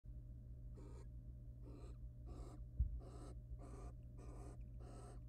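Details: Wild barn owl pair courting in a monitored nest box, the male preening then mating with the female; seven short breathy hissing bursts roughly every 0.7 seconds, one soft thump midway, over a steady low electrical hum.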